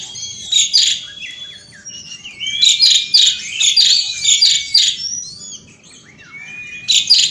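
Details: Outdoor Asian pied starling in full rolling song: dense chattering bursts mixed with rising whistles and scratchy squeaks, a brief lull, then another loud burst.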